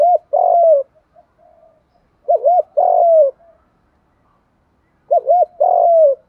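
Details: Decoy spotted dove for bird trapping, cooing in the 'thổ pha' voice style. Three repeated phrases about two and a half seconds apart, each a looping double coo followed by a drawn-out descending note.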